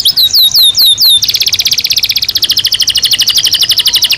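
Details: Belgian canary in natural song for daily stimulation and training: several looping falling notes, then a long rapid pulsed trill held at high pitch.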